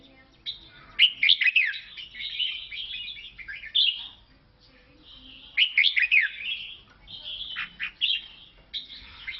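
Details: Lao red-whiskered bulbul delivering a cheerful, liquid warbling song: rolling, fluty phrases of several notes, then a pause of about a second before the next burst, recorded against near silence.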